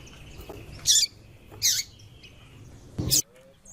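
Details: Three bright, high-pitched chirps from a female white-throated seedeater calling to stimulate the male, each brief, the last followed by a soft lower sound, over quiet hiss.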